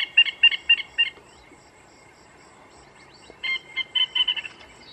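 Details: White-throated francolin calling: a series of sharp, evenly spaced harsh notes, then a pause of about two seconds, then a second quicker burst of similar clipped notes.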